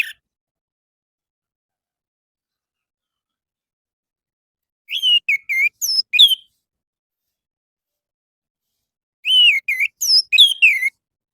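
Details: Orange-headed thrush singing in the morning, a lure for caged birds to answer: two bursts of rapid, varied whistled notes, rising and falling, separated by about three seconds of silence.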